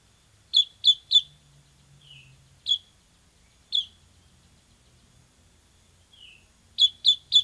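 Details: Bar-winged prinia, 'semi' type, singing strongly on a tutor recording for caged birds: quick triplets and single high chirps spaced around a second apart, with soft falling notes in between.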